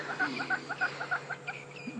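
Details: Crested francolins, a single covey, calling at dusk in the bush after the sun has set; rapid, evenly spaced harsh notes repeated roughly four times a second, fading toward the end with faint other birds behind.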